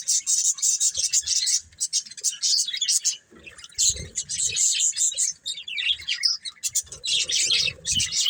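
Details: Colourful pet budgies, a breeding pair, chirping in lively bursts of fast high twittering separated by short pauses, with soft low bumps in the background.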